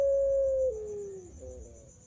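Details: Puter pelung turtle dove song, recorded as a clear, melodious master recording to prompt other doves to sing: a long, held, pure note that slides downward, then softer falling tones trailing away, with a faint steady high hum.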